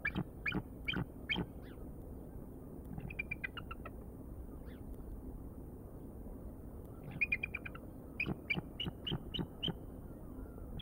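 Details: Bald eagles at the Decorah nest, recorded by a live nest camera: a series of high, thin chittering notes in short rapid bursts, some trilled runs, repeated several times over a low background rumble.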